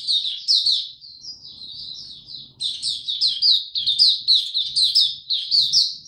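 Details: Young male white-eye's song as it matures, 9 February 2022: high twittering phrase that softens, then returns as a brisk run of sharp chirps roughly once a second.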